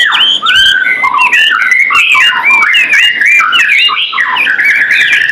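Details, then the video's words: White-rumped shama in active song as tutor material for pet birds: crowded jumble of short, bright whistled phrases and quick slurred notes, bursting continuously with scratchy clicks between. "Murai Batu gacorrr"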